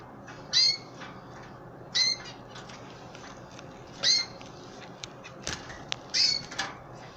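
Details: Pet canaries, adults and chicks, during hand feeding: four short bright high chirps spaced one to two seconds apart, with softer clicks and faint rustling in between over a steady low background hiss.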